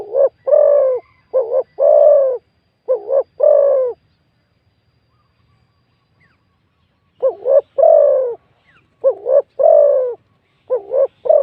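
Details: Spotted dove cooing during a decoying session with a caged decoy bird, a wild bird with a big, fluent voice. Phrases of a short wavering double note and a long low coo repeat, with a pause of about three seconds between bursts.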